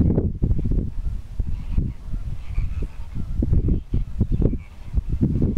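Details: Displaying greater flamingos in a dense, goose-like chorus of low, nasal honks and grunts, many birds calling over one another without pause.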